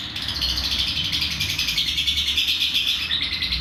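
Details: Lovebird giving a long ngekek trill, recorded as a master to train other birds to copy it: a continuous, fast, buzzy chatter of rapid pulses held high and unbroken, with a faint low hum beneath.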